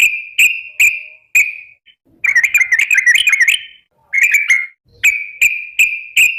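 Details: Calling to companions, a sooty-headed bulbul gives evenly spaced sharp chirps, each trailing into a steady whistled tone, broken by a fast wavering chatter and a short burst of slurred notes before the chirps resume.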